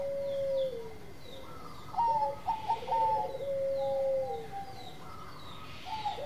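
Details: Bangkok-type zebra dove singing actively: low, mellow coos with long sustained tonal notes and short staccato bursts, some notes sliding downward, over a faint background hum.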